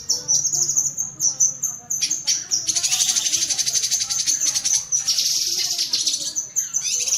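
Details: Cucak kinoi bulbul in rapid cerecetan chattering, kept as masteran for pet songbirds: a few clipped, slurred high notes open into a sustained, dense, rattling chatter of thin chips.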